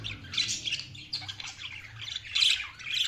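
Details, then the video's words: High, harsh chattering from feeding budgerigars, several birds overlapping in rapid squawky phrases with a low hum beneath. "budgies feeding | budgies chirping sound"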